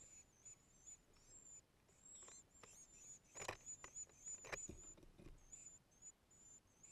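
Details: A palm warbler at its nest, filmed with a GoPro: faint, very high, thin squeaky notes repeated quickly and unevenly, broken by loud clicks and bumps of handling noise close by.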